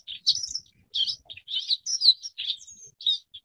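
Forest wagtail giving a quick series of high, squeaky chirps and short buzzy notes, several per second, with brief gaps between bursts.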